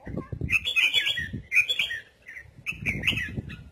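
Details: Red-whiskered bulbul singing in the 'giọng kép' (double voice) style: bursts of bright, warbled whistled phrases in quick runs, broken by short pauses, over faint low thumping background sounds.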